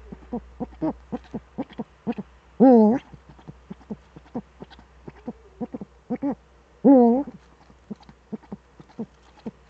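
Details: Duet of Eurasian eagle-owls, the male at the nest, Eifel, 13 December 2013, evening: a steady run of short, clipped low notes, broken twice by a longer, louder, wavering hoot about four seconds apart.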